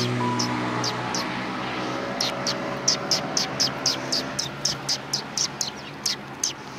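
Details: Sparrows at a Tenmangu shrine, 3 January 2020: a low hum and murmuring voices at first, then a steady run of sharp, high chirps repeated about every quarter second.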